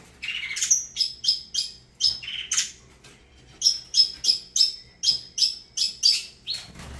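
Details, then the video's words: Saffron finch of Avalanche breeding, repeating a crisp high note about every third of a second in two series divided by a short pause, opening with a buzzy downslurred phrase. "Canto do Canário da Terra Avalanche"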